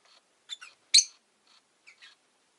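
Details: Rosy-faced lovebird giving brief, soft twittering notes followed by one loud, sharp shriek, then two faint chirps.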